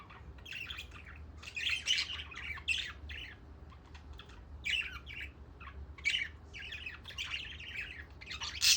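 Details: Pet budgerigars chatter on a peaceful day in a steady stream of scratchy chirps, warbles and short squawks.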